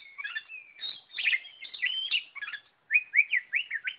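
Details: Oriental magpie-robin singing vigorously, with warbled, sliding phrases, then a series of five clear, upslurred whistles evenly spaced at the end.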